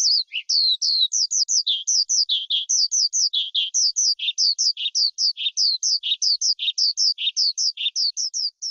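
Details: Skylark, whose song keepers use to lure wild birds and coach young ones, delivering a steady run of sliding high whistles alternating with lower chips in a brisk, regular rhythm.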